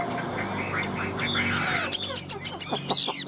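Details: A tame, hand-held Chinese hwamei sings while perched on a man's hand, bursting into loud, varied, rich fluty whistled phrases with quick slurred notes, over his voice and handling noise.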